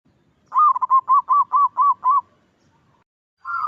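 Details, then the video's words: Loud local zebra dove singing: a rapid run of about eight soft, hollow, mid-pitched cooing notes in quick rhythm, then a pause and the start of a further coo, in an otherwise quiet setting. "Suara burung perkutut Super keras"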